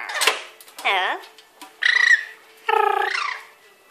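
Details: A pet lory playing and bathing in a wet cloth in a sink indoors gives four short harsh squawks with strong rising and falling harmonics, spaced about a second apart, in a quiet room.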